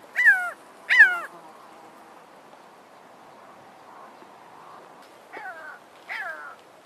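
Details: A pair of Jackal Buzzards calling while spiralling higher on a thermal: hoarse, downslurred mewing cries in two pairs, two loud calls about a second apart, then a quiet pause and two softer answering cries.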